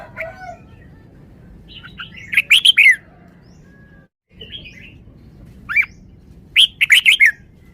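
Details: Caged red-whiskered bulbul performing its wild-style song: a few soft notes, then a run of loud ringing whistled notes, a pause, and two more bright phrases of quick warbled notes, over low background hum.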